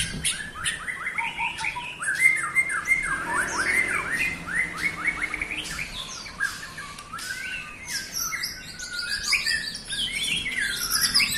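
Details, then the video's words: White-rumped shama song meant to agitate other shamas: a dense, nonstop run of varied whistled and chattering phrases, with rising and falling notes and sharp chips, repeated rapidly and overlapping. "bikin murai lain emosi"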